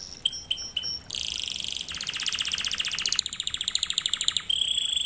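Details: Canary lesson song: three spaced piping notes, then a dense buzzy trill, a long fast rattling roll and a rising series of chipped notes ending in a level whistle.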